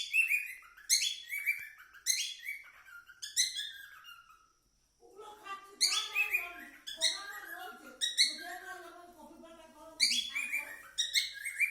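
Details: Singing cockatiel giving rapid runs of high chirps and warbled whistles, pausing briefly midway, then resuming with busier, lower-pitched chattering phrases mixed with chirps.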